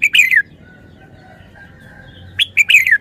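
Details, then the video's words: Caged red-whiskered bulbul showing off its wild-style song with large phrasing: a short bright warbled phrase, a long quiet pause with faint steady tone, then another liquid, descending warble. "นกกรงหัวจุก 292 เพลงป่า แกนโต"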